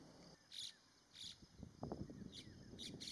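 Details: Pied bushchat (Saxicola caprata) at Kavdi Pat, 2017, giving short, high chipping notes about every half second, over low thumps and a faint steady insect hum.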